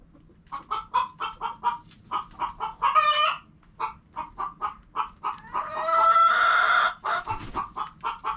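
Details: Hens clucking in a rapid series of short, harmonic clucks centred in the mid range, with a brief squawk near three seconds and a longer drawn-out, strained cackle around six to seven seconds before the clucking resumes.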